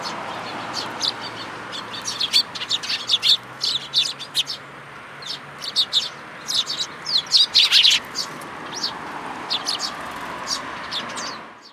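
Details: Sparrows gathered for food at a plum-tree feeding spot of a Tenmangu shrine, 2 July 2022: steady, overlapping high chirps in quick groups throughout, with a broad background hiss.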